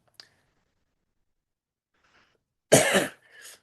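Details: A brief tick, then a person coughs and clears their throat indoors; no animal is heard.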